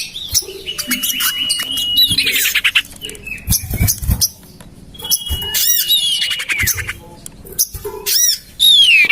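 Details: Lure sound of common iora: long flat whistles followed by dense scratchy chattering and quick squeaky notes, with quieter gaps between busy phrases and a final bright slurred whistle.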